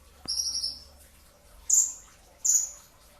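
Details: Brown-throated sunbird singing in a pre-dawn training recording: a high, thin trilled phrase, then two sharp, piercing downslurred notes after a pause, over a quiet background.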